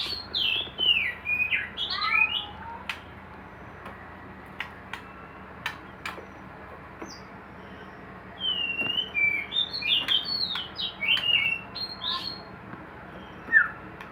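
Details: Captive white-rumped shama kept for breeding in a hanging cage, singing two bursts of varied, slurred whistles that sweep up and down, separated by a quieter pause with scattered sharp clicks and taps.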